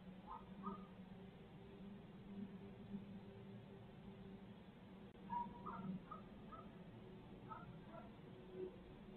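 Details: Barred owl calls from a Midtown Tulsa live feed, 2020: scattered short squawking notes, in a cluster early on and a livelier run past the midpoint, over a constant low background drone.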